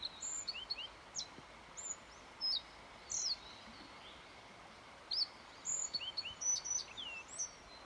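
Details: Yellow bunting singing on 29 May 2021: short, separated phrases of thin, high whistled notes and quick downslurs, repeated every second or so against a quiet background hiss.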